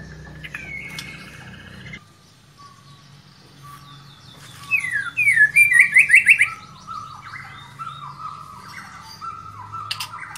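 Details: White-rumped shama provoked by a lure recording, agitated and pouring out its full repertoire at once: a burst of rapid, sharply repeated metallic notes, then a run of lower descending whistles, over faint low background hum.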